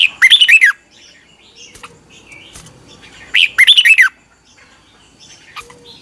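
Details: Red-whiskered bulbul in morning singing practice, a decoy voice for training other birds: two brisk warbled phrases about three seconds apart, each a quick run of bright, bouncing whistled notes over a quiet background.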